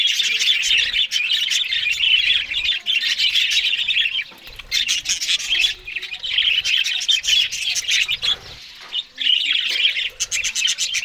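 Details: Morning flock of budgerigars eating green food keeps up a long scratchy warbling chatter, broken by short lulls near 4, 8 and 9 seconds, with clicks and squawks between.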